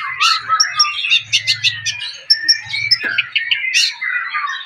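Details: Golden, rare-coloured Javan pied starling singing a busy stream of squeaky whistles, sharp chirps and chatter, with faint low humming underneath.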